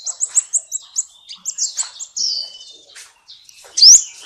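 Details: Sunbird song used as a training recording for cage birds: rapid high, thin chirps in quick runs, then a drawn-out buzzy note and a bright rising whistle near the end.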